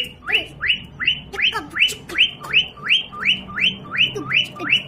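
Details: Household parrot playing with a baby: one rising-then-falling whistled call repeated steadily, about twelve times in under five seconds, over a faint low hum.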